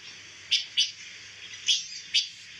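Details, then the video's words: Four sharp, high chirps from a pancawarna bird, a songbird used as song material for white-rumped shamas, given in two pairs against a quiet steady hum. "SUARA BURUNG PANCAWARNA"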